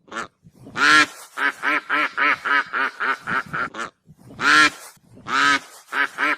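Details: Goose cackling: strings of quick, evenly spaced nasal notes broken by louder drawn-out harsh honks, repeated twice.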